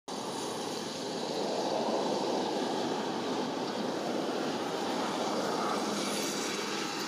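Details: Steady roaring engine noise like a passing aircraft fills the whole recording; no animal call stands out.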